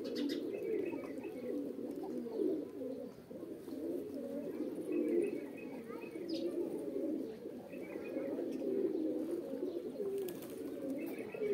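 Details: Many pigeons coo at the same time in a low, warbling chorus, with repeated faint higher chirps at intervals over the rolling hum.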